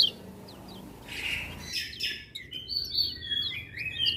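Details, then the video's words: Lemon-bellied white-eye singing energetically, a song said to set other birds singing; quiet scattered chirps at first, then a burst of thin high whistles and twittering phrases from more than one bird. "Kecial Kuning Gacor Dengar Suara Kecial Kuning Ini Burung Lain Pada Ikut Bunyi"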